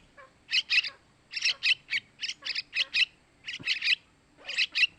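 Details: Yellow-vented bulbul chicks giving begging calls, used to lure adult males: harsh, buzzy chirps in quick pairs and triplets, bursts separated by short pauses, about one call per second.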